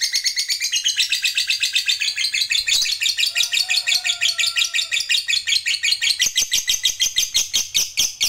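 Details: Lovebird ngekek panjang, used to provoke rivals: continuous harsh, rapid-pulsed chatter, high and buzzy, with a faint lower whistled tone in the middle.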